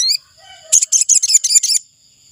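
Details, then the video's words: Ashy tailorbird, played as a decoy to attract wild birds: a short volley of about seven loud, harsh, high-pitched chips in quick, slightly uneven rhythm, preceded by a soft thin note. "Suara burung sogon untuk pikat"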